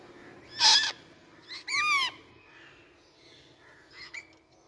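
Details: Rose-ringed parakeet giving a single loud, arched, harsh screech after a brief noisy burst, followed by quieter faint sounds.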